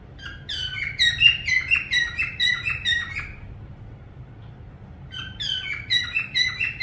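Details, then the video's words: Bouts of rapid, rhythmic whistled chirps from a parrot, each note dipping in pitch. They are separated by a quiet gap of about two seconds, with low hum beneath. "parrot sound whistling"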